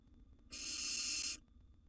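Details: Young wild barn owl in a monitored nest box, siblings competing for food: one harsh, breathy hissing screech of almost one second, starting and stopping abruptly, with faint clicks around it.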